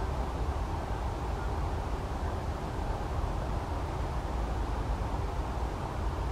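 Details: Dense, even outdoor noise with a deep low rumble and no distinct animal call.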